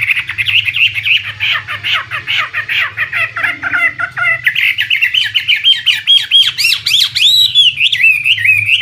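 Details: Chinese hwamei, a premium imported contest songbird, delivers a long rich song: rapid harsh chattering notes rising into bright, sweeping whistles that climb and fall, with a faint low hum behind.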